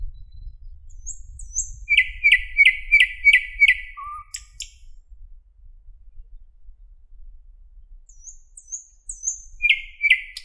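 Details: Morning song of a thrush nightingale in Park 50-letiya Oktyabrya, Moscow, 11 May 2016: high thin notes lead into five quick repeated chirps, a pause, then the phrase starts again. Low background rumble throughout.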